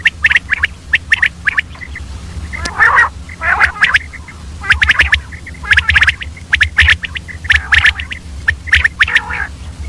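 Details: Female common quail calling early in the morning: rapid sharp chips with rasping, buzzy bursts in between. The calls come in irregular runs over a steady low hum.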